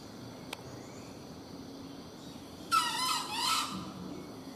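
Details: A crowing junglefowl, recorded while hunting: one harsh, buzzy crow lasts about a second after a lone click. Faint insect drone runs underneath throughout.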